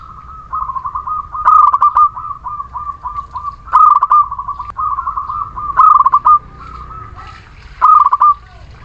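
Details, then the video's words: Zebra doves, local Muria birds, singing to stimulate silent birds: loud bursts of quick, trilling coos about every two seconds over a continuous softer murmur of similar cooing from other doves. "Perkutut lokal Muria gacor pancingan setiap waktu perkutut malas bunyi"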